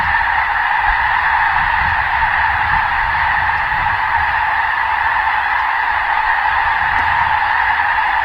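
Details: A dense flock of snow geese in Vancouver honks nonstop, high nasal yelps blending into a steady roaring chorus with no pauses.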